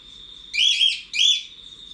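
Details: Cockatiel in an outdoor aviary, heard from outside: two loud, rising, warbling whistled calls, each about half a second long with a short gap between, over a steady high-pitched insect-like hum.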